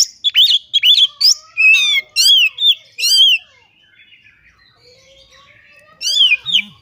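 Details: Oriental magpie-robin (kacer) singing loudly while fluttering its wings (ngobra), showing off its learned repertoire (isian): rapid bursts of loud whistled notes and sharply rising and falling chevron phrases for about three seconds, a quiet pause, then another burst.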